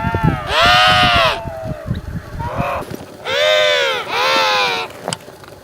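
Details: Loud harmonic brays of an African penguin: a long arched note, a short quieter one, then two strong notes in quick succession, with some low rumbling background at the start.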